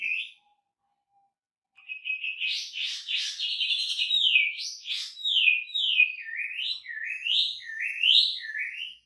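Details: Wambi in full song with a rich, varied repertoire, recorded as a training track for songbirds: after a short opening note and a pause, a long run of whistled, swooping phrases with rapid downward slurs near the end.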